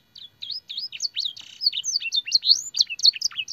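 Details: Training song of a canary, rich with blackthroat and sanger phrases: high chirps and rising and falling whistles, a brief buzzy rasp, then a dense stream of varied notes.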